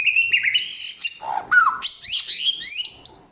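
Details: Short, loud samyong phrase: high whistles, a low gurgling note, then rising and falling slurred whistles in a busy mix.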